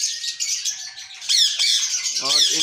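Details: Indian ringneck parakeets, breeding pairs kept in an aviary setup in India, utter continuous grating, buzzy squawks and chatter from several birds, with a man's voice speaking over the last half second.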